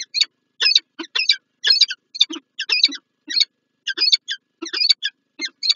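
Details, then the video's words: Morning encounter of a peregrine falcon pair at PGE Lublin, Poland, 19 January 2024; loud, strident chattering in clustered harsh notes, some doubled or tripled, rising and falling in quick irregular succession. "Sokół wędrowny PGE Lublin(PL) - Czart & Wrotka, poranne spotkanie"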